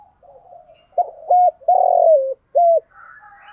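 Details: Spotted dove used as a lure for wild birds: soft murmuring, then two short flat coos, a long burry falling coo and one more short coo, followed by faint chirping.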